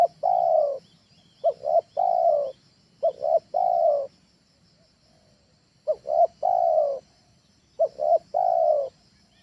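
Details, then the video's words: Spotted dove training call for luring birds at home: repeated phrases of two quick coos then a longer sustained coo, low and soft, given about five times at uneven intervals. "SUARA TEKUKUR AJARAN, SANGAT COCOK UNTUK PANCINGAN DI RUMAH"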